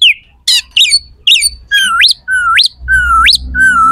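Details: Oriental magpie-robin singing a harsh, sharp song meant to provoke rival magpie-robins into responding and fighting: buzzy chattering notes, then long whistles that hold low and sweep steeply upward, repeated.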